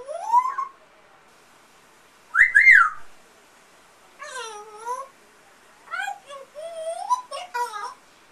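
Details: Pet African grey parrot making varied imitations indoors: rising and falling whistled notes, a loud double whistle, then wavering meow-like and squeaky calls in quick succession.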